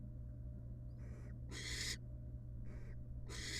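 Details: Wild barn owl family in a nest box, the mother back with her babies after casting a pellet; overlapping hisses, softer ones alternating with louder harsh bursts, in quick succession.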